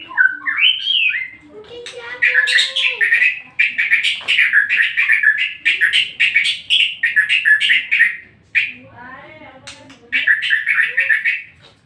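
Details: White-rumped shama song played to provoke another shama to sing: a whistled opening, then a dense, rapid chattering warble of mixed notes lasting several seconds, a short pause, and another busy burst.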